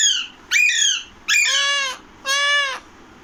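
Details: Rapid harsh squawking by an Alexandrine (Pahadi) parakeet, four loud calls within three seconds, shifting from descending screeches to long rasping arched notes.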